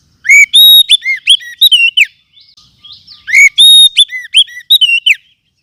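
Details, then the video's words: Oriental magpie-robin from the forest, as a lure and for tutoring caged songbirds: two rapid phrases of loud, clear, swooping whistles and upslurred chirps, separated by a brief pause with faint twittering. "Kumpulan Suara Pikat Burung Kacer Hutan 2024 ‼️Cocok Untuk Masteran"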